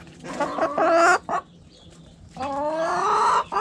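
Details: Chickens in a backyard coop: a rooster crows in two loud harmonic bursts, a short rough one then a long rising, sustained cry, with a brief cluck between.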